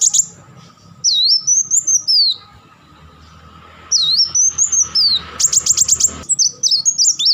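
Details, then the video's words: Van Hasselt's sunbird in crecetan style: thin, high, sliding whistled phrases that rise and fall, then a fast burst of sharp clicking notes and more quick twittering at the end, over a low background hum. "crecetan dan tembakan beruntun Kolibri Wulung"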